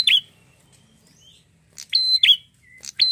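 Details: Red-headed prinia in full song: sharp, high chirps with clicky edges in short bursts, one at the start, then a quick cluster of three or four after a pause; no other sounds stand out.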